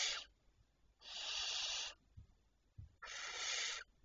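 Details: Barn owls at night, 26 May 2023 around 02:16, giving three harsh, breathy hissing bursts, each close to a second long, separated by pauses, with soft low knocks and rustles between them.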